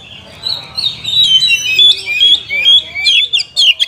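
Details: Short burst of Oriental magpie-robin song, full of imitations, to spur idle caged birds to sing. Smooth sweeping whistles rising and falling, ending in quick sharp chirps, over a low background murmur.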